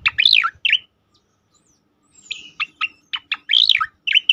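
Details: Song of a striated grassbird, used as a tutor and provoking sound for other birds; loud slurred phrases, a silent gap, then clipped notes and swooping whistled elements.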